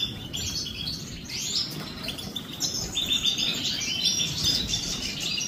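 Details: During their morning bath, European goldfinches give quick, irregular chirps and liquid twitters, several overlapping, against a steady low rushing noise.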